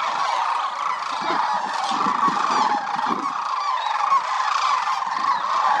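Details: A huge winter flock of migratory sandhill cranes at Willcox Playa Wildlife Area, more than 20,000 strong, produces a loud, unbroken wall of rattling bugled calls, countless birds calling at once.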